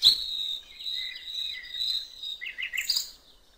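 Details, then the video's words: Common nightingale singing beside a river: a drawn-out high whistled note followed by buzzy lower phrases and a cluster of quick chirps at the end. "canto del ruiseñor"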